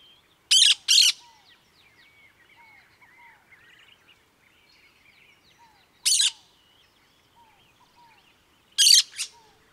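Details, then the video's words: Cactus parakeet producing short harsh screeches in pairs and singles spaced several seconds apart, over a quiet background of faint chirps and descending whistles. "CANTO do PERIQUITO-DA-CAATINGA"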